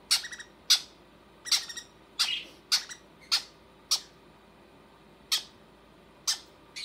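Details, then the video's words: Baby conures calling while their mother feeds them, a rapid series of harsh raspy squawks, sometimes doubled, spaced irregularly under a second apart, in a quiet indoor room. "Mama conure feeding her babies"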